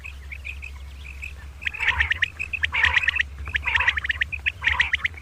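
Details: Common quail, two birds, in the morning: quiet chirps, then four loud raspy bursts roughly a second apart, each mixed with high sharp notes, over a low hum.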